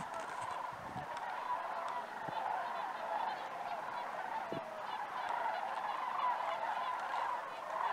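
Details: Sandhill cranes calling during migration over Idaho: many birds at once produce a continuous rattling, trumpeting chorus that swells and fades gently, with occasional clicks.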